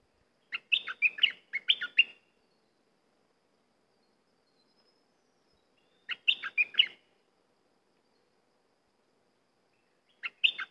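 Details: Cream-vented bulbul repeating a short bubbly phrase of several quick, downslurred warbles about every five seconds, with silent gaps between the bursts.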